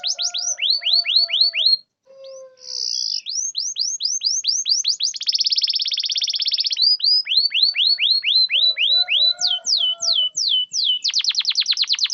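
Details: Long canary song for coaxing reluctant canaries to sing: bursts of quick descending chirps, a buzzy roll, rows of rapid upswept whistles, and a final fast trill, with faint lower warbling underneath.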